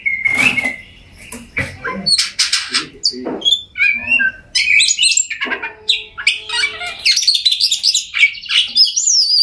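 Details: An Oriental magpie-robin sings, a recording used to make mute birds start singing: harsh chirps and squawky notes mixed with whistles, then a busy run of varied high warbles and rising whistled phrases.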